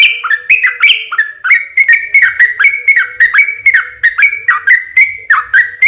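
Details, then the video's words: Continuous energetic song of a yellow-vented bulbul played as a lure so other birds answer; clear whistled notes slurring downward then up, repeated rhythmically about three per second, with a faint steady low hum beneath. "SUARA trucukan gacor ROPEL PANJANG pancingan trucukan agar bunyi JADIKAN burung trucuk gacor NYAUT"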